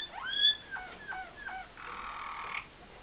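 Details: Malinois Waterslager canary singing: an upward-sliding whistled opening, three short hooked notes repeated about every third of a second, then a steady rolling, bubbling trill held for nearly a second before stopping.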